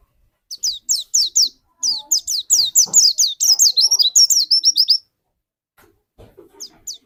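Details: Lure white-eye prompting another white-eye to sing: evenly spaced high descending whistles build into a long, fast, chattering run of twittering notes, then stop, leaving faint knocks and a few soft chirps.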